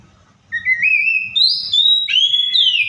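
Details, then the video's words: Oriental magpie-robin mimicking other birds in a wild-sounding song: a loud, continuous whistled phrase climbing in steps, then dropping and sliding downward at the end, with faint low background noise. "COPSYCHUS SAULARIS SOUNDS LIKE THE WILD MAKES OTHER BIRDS SOUND!"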